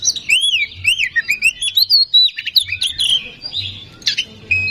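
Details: Oriental magpie-robin song used to stir a bird into singing: fast looping whistled notes rising and falling, sharp chips throughout, ending on a held whistle.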